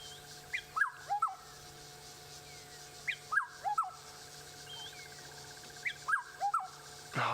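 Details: Black-headed Oriole at sunrise in Sabi Sand, South Africa, 28 October 2016, heard constantly there: a liquid, fluty phrase of three or four slurred whistles, repeated about every three seconds, over a faint steady hum.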